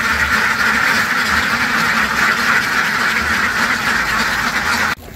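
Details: A crowd of ducks keeps up a continuous raspy quacking din for about five seconds, calls piling over one another without gaps, then the sound cuts off abruptly.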